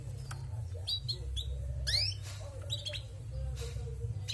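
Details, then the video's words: Female canary, described as lively and vocal, giving short sharp chirps and quick rising sweeps scattered through the recording, with pauses between them, over a steady low indoor hum. "Bunyi Burung Kenari Betina gacor"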